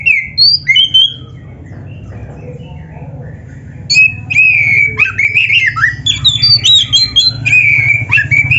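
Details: Oriental magpie-robin (kacer) singing a dense, continuous song packed with fill-in phrases (full isian): a few whistles at first, a quiet gap, then rapid varied whistled and chattering notes jumping high and low, over a steady low hum.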